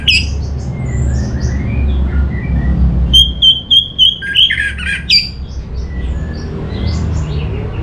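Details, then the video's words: Orange-headed thrush, known locally as Anis Merah, singing in northern Bali: a fast series of clipped, repeated high whistles in the middle, framed by varied short chirps and slurred notes over a constant low background hum. "Suara ANIS MERAH Cepat Gacor"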